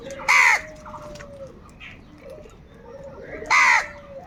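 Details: Crows fighting for food: two loud, harsh, nasal caws about three seconds apart, each short and arched, with a steady thin whistle and faint bird chatter between them.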